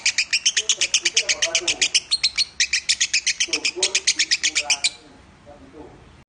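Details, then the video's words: Contest lovebird nominated at Piala Raja, singing Minor song. It gives a brisk, high chattering series that stops abruptly at about five seconds. Low murmuring continues beneath the notes and after they end. "Masteran burung lovebird suara Minor"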